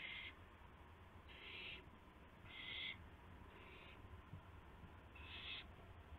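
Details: Owl at 12:25 AM, 7 April 2016, during a night-time gopher delivery; five rasping, hiss-like bursts at uneven intervals over a low background hum.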